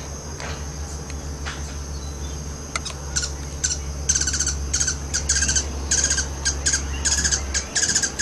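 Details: Three hummingbirds chase and fight over a feeder on a back porch just outside San Isidro, Costa Rica. Sharp, high chips come in quick clustered bursts and grow busier later. A steady thin high whine and a low hum run beneath.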